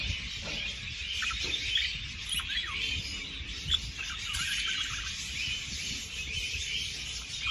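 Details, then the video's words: Budgerigars' chirping used to encourage mating: continuous high twittering with scattered sharp rising squeaks and brief whistled notes over a constant low hum. "تحفيز البادجي على التزاوج"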